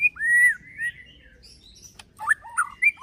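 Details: White-rumped shama, fighter-style song: a long, clear whistled note sliding slightly downward, softer whistles, then a quick cluster of sharp upslurred notes.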